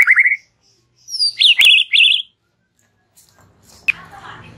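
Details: White-rumped shama giving relaxed chattering song: a rapid rising trill, then high sweeping whistles with bright zigzag phrases, followed by quiet rustling.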